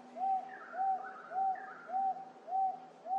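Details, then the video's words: Wonga Pigeon calling up close in late July 2024 at Wentworth Falls, Blue Mountains, NSW, Australia: a steady run of loud, mid-pitched 'wonk' notes, nearly two per second, with another bird chirping faintly behind. "Wonga Pigeon calling"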